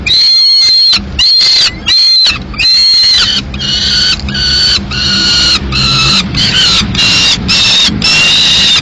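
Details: Madrid peregrine falcons at the nest, 15 May 2016, the male bringing a live swift that the female dispatches; a rapid series of harsh, clipped wails gives way to longer, slightly rising cries, with low background rumble.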